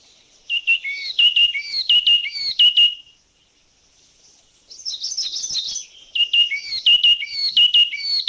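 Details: Calls of a yellow-cheeked tit from Thailand: repeated clear whistled two-part notes, high then dropping, in quick phrases, a pause, then a jumbled chattering burst and more whistled notes.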